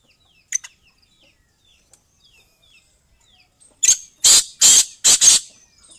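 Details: Female black francolin calling in a burst of four loud, rasping, high-pitched notes spaced about a third of a second apart, preceded by a few faint chirps.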